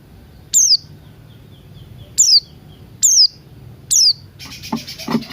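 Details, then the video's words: Piercing, downward-sliding single notes from a Buxton's white-eye singing ngalas style in the morning, four notes at irregular gaps, ending in a burst of harsh rustling noise. "Pleci Buxtoni Ngalas Pagi Hari"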